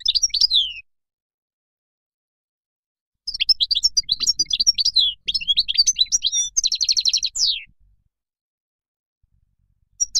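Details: Moroccan goldfinch song: a brief chirp, a pause, then a long, jumbled twittering phrase ending in a fast buzzy trill and downward slur.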